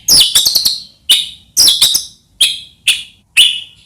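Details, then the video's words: White-rumped shama sounds used as a lure to make other shamas sing: a series of sharp, high, clipped notes in quick bursts, repeated about every half second with short gaps. "murai batu gacor AMPUH buat PANCINGAN murai batu agar bunyi"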